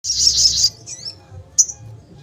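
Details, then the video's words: Sogon bird singing in an agitated state while drooping its wings: a short burst of very high, thin, buzzy twittering, then a brief pause and a single sharp high note, over a low background hum. "Burung sogon Emosi auto ngleper!!"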